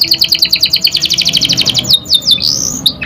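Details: Young canary finding its full voice, used to lure other canaries into song: an even, rapid trill of bright pulsed notes, then a few swooping slurred whistles.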